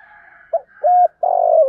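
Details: Spotted dove calling in the morning, a short coo and a clear level hoot followed by a long burry note sliding down, over a faint steady higher-pitched background hum.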